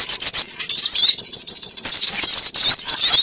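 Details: Trapping lure of crimson sunbird: a brief, continuous stream of shrill, high chirps and fast trilled notes, becoming denser and brighter in the second half.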